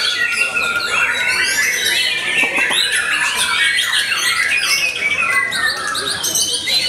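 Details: Vocal white-rumped shama in song after moulting: dense, rapid run of sharp whistles, rising and falling slurs and buzzy notes, delivered nonstop at high pitch for several seconds.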